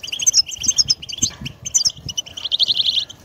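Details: European goldfinch singing, meant to stimulate pet birds: quick tinkling chirps and twitters at high pitch, ending in a dense trill, over soft low background rumble.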